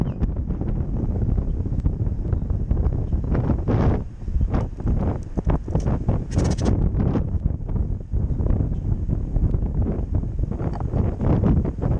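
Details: Heavy wind rumble buffets the microphone throughout, with no clear animal voice standing out.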